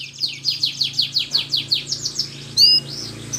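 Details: Caged canary song played to coax quiet canaries back into singing: a rhythmic series of about nine descending slurred notes, each roughly a third of a second apart, ending with a short pure whistle.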